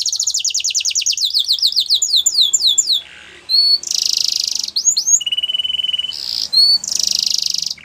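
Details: Canary song for training: rapid descending trill, slower sweeping notes, a low buzz, then loud harsh broadband rattles alternating with a flat whistled tone and sharp upslurs.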